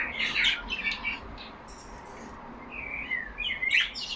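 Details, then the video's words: Indoor caged budgies talking among themselves: a pair of buzzy chirped phrases, a quiet pause, then a thin rising whistle and scratchy warble returning near the end. "Lovely parrots talking among them."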